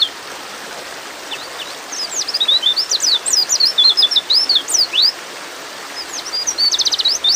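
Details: Calling to a male, a female white-eye in breeding mood pours out a long run of high rapid chirps and slurred sweeps, then after a pause a second burst ending in a dense stutter of chips.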